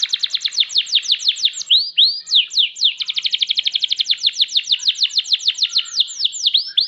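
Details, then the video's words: Canary in full song, a long rolling chain of quick downslurred notes repeated about three per second, broken by a few looping whistles, sung by a champion bird. "Burung kenari juara"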